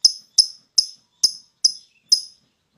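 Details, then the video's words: Lovebird roused to call in the ngekek style; six sharp, very high chipping notes evenly spaced about every 0.4 seconds, clean and close with nothing else audible. "LoveBird Emosi Tinggi,LoveBird Ikut Ngekek"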